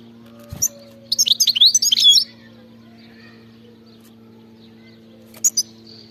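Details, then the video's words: European goldfinch giving a khalawi-style song phrase: a single quick, twittering burst of high, varied notes about a second long, followed later by two short chips, over a low electrical hum. "غناء خلوي"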